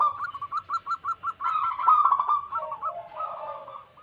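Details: Zebra dove song from local wild birds, used to lure wild doves. Seven evenly spaced short coos lead into a dense, vibrating cooing phrase, with soft, lower warbling coos at the end.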